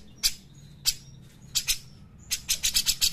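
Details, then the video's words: Black-crested bulbul song used as a training recording for other birds: sharp high chirps and short whistled notes, with a fast run of repeated bright chirps in the last second. "pancingan dan masteran cucak jenggot gacor enak"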